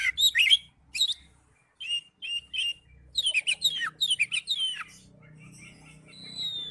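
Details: Oriental magpie-robin in ngipas style delivering quick bursts of sharp, twisting whistles and chips, pausing briefly between groups, then fading to a thin drawn-out whistle over a low steady hum.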